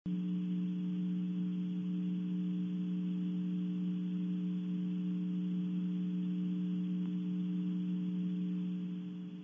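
Constant low electrical hum with steady tones over faint background hiss, and no animal calls audible.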